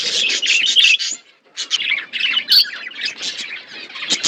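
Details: Budgerigars kept in an aviary with a forest setting chirp together: rapid, buzzy high warbling and short chattering notes for about a second, a brief pause, then renewed scratchy twitters and squeaks from several birds.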